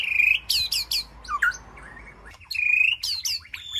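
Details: Captive white-rumped shama in an aviary, calling to its flock: clear whistled notes and sharp high upslurred chips, a lower slurred phrase, then another bright whistle with quick chips after a brief pause.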